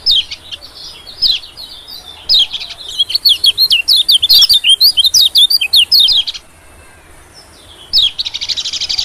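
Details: White-eye calls played as a bird lure: lively sequence of quick, sharp, rising and falling high chirps strung into twittering phrases, a brief silence, then a softer buzzy burst.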